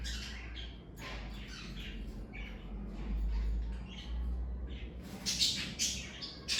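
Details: Pet parakeets chirp in scattered, buzzy high notes over a noticeable low rumbling hum. A denser flurry of sharp chirps comes near the end.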